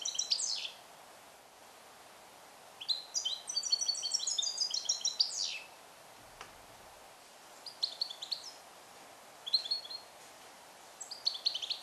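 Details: European goldfinch, a 2021 captive-born male trained in Neapolitan passata song and isolated in a small carrier. A sustained twittering phrase with high chimes and downslurs is followed by several shorter bursts of quick, bright notes after pauses.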